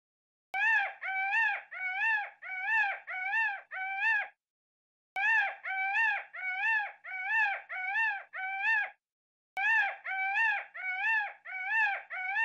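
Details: A peacock gives loud, nasal, rising-and-falling wails in quick runs of six or seven notes, about two per second, with short pauses between runs.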